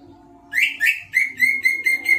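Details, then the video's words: Greater green leafbird in lively full song: a series of about seven loud, harmonic whistled notes, the first two rough and rising, the rest steady and clear, each lasting a fraction of a second, over a low hum. "Burung Cucak ijo,Gacor"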